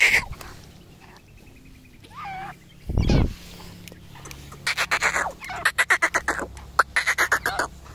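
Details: Black francolins in a fight give scattered harsh notes, then after a loud thump a fast train of rasping, chattering calls in bursts. Faint background noise.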